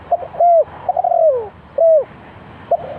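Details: Spotted dove calling at a bird trap as a decoy. A close, loud coo phrase with clipped lead-in notes and a long downward-sliding hoot, followed by single mellow coos, over a light hum.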